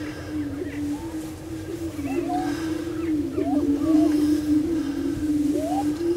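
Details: Prairie chickens displaying on a lek at Bluestem Prairie Preserve, Glyndon, Minnesota: a constant low, droning boom from several birds, overlaid with scattered rising whoops and short cackling calls.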